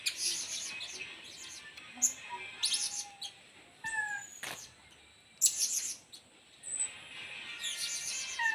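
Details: Blue-crowned hanging parrot (serindit) singing in a style called main singa singa: short, sharp high chirps and thin whistled notes in scattered bursts, separated by quieter pauses, with a faint steady high hiss behind.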